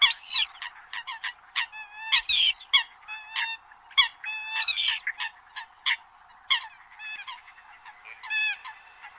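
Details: Eurasian coots in the migration season giving loud, nasal, honking notes, short and clipped with some drawn into bent, ringing calls, overlapping in a busy chorus with nothing in the low range.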